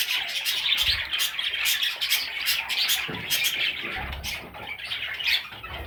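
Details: Little parrot chicks fill the air with fast, shrill cheeps and scratchy squawks, a busy unbroken chorus with a few soft low bumps.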